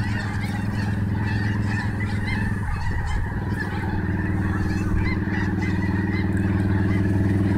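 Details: Snow geese in Snohomish keep up a constant babble of nasal honks from many birds over a strong, deep humming rumble that briefly dips near the middle.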